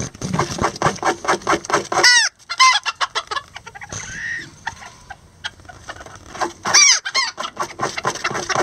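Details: Lavender bantam chickens, miniature roosters and a hen, building a nest together: a fast run of short harsh clucks, then high squawks that bend downward, a quieter pause, and another loud squawk.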